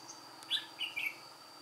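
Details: White-cheeked red-whiskered bulbul serving as an old trap decoy, singing solo, 1 July 2018; one short burst of three sweet warbled notes within a second, over low hum and a faint steady high whine.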